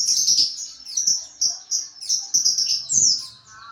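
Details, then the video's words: White-eye giving ngriwik chatter, kept for training other birds: rapid high, thin twittering runs of squeaky notes, almost continuous, with faint low thumps below. "Penggacor Pleci NGRIWIK"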